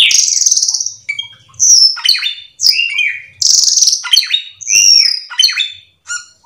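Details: A Black-winged myna in full, lively song, used as a lure to get other birds singing: loud, shrill whistles mixed with harsh chatters and squeaks, in bursts about a second long with brief pauses between.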